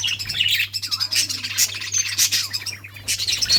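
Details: Budgies chirping while playing on June 17, 2023, a continuous babble of high twittering notes, squeaks and short whistles in close overlapping bursts, over a soft steady hum.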